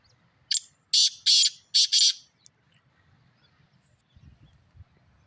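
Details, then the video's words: Black francolin giving a harsh, grating call of four or five loud, rasping bursts in quick succession, then quiet with faint low rumble. "Kala teeter ka awaz"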